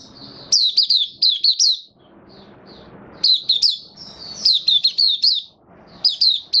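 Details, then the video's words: Caged Mata Puteh, or White-eye, singing freely on 18 May 2022 after deworming, repeats short runs of shrill, quickly swooping whistles, each burst of four to six notes, with quieter thin twitters and low room hiss between. "Mata Puteh Kitaro buka sing"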